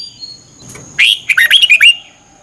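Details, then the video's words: Red-whiskered bulbul, Thailand, singing a morning training song: a single quick phrase of five or six bubbling, slurred whistles after a brief soft flutter. "นกกรงหัวจุก ฝึกหงอนเป็นเวลา 30 นาทีทุกเช้าเพื่อช่วยให้นกเรียนรู้ที่จะพูดได้อย่างรว"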